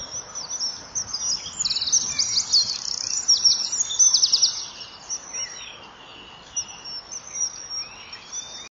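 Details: Common kingfisher pair at a nest wall at 07:20 on 2 March 2014: after calling 'chip-chip' at each other, the female chases a passing intruder with the male close behind, giving shrill, rapidly repeated piping territorial calls over faint hiss.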